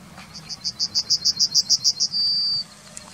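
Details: Yellowhammer singing in the town of Wittlich, 2019: a run of about twelve quick, evenly spaced high notes, ending in one long, drawn-out high note held for half a second. Low traffic-like hum underneath.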